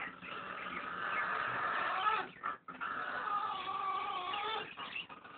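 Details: A pet blue-and-yellow macaw snoring one night gives two long, raspy, wheezing breaths, each with a faint rough tone, separated by a brief pause.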